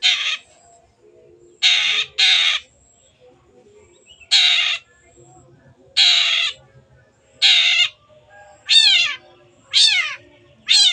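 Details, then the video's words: Long-tailed shrike in energetic song, used as a lure to get silent birds singing: harsh, raspy broadband notes, some in quick pairs, later ones with falling, scratchy sweeps, given irregularly about every second. "CENDET GACOR PANCINGAN MENGATASI BURUNG MACET ATAU BAHAN AGAR RAJIN BUNYI"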